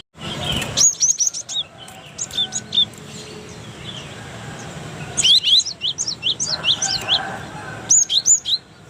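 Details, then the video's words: Cinereous tit from Indonesia sings as a model for training birds: short phrases of sharp high chirps, then a denser burst of quick falling whistles, with background noise throughout. "MASTERAN Gelatik Batu"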